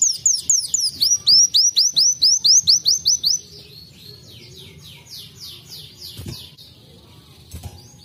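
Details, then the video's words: Sunbird (kolibri wulung) singing kenarian, imitating a canary: loud run of high curved whistles repeated about three per second, fading into softer slurred notes and then near quiet with faint clicks. "KOLIBRI WULUNG KENARIAN"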